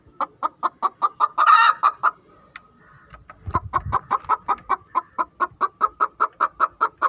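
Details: A hen calling after laying an egg: steady, repeated clucks about two or three per second, broken by one loud drawn-out squawk early on, then the even clucking resumes.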